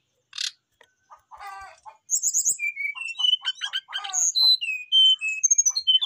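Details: Brown-chested jungle flycatcher singing a full, varied song toward a rival: scattered chirps build into a string of clear whistled notes at shifting pitches, mixed with short rattling trills.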